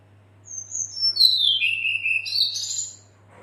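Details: A calling female red-billed leiothrix, the kind used to coax males into song: a single high whistle slurring down into a buzzy, scratchy chatter, then jumping back up in a rough burst at the end, about two and a half seconds long.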